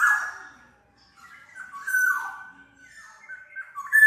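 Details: Black-naped oriole song, used as a lure and training model for other birds: clear fluted whistles around a mid pitch, with a loud opening phrase, a gliding slurred note near two seconds and a bright whistle at the end, separated by short pauses.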